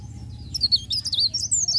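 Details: Mountain leaf warbler singing a continuous rolling song in the morning: quick, thin, high whistled notes that twist up and down in a rapid warbling run. Faint low background hum throughout.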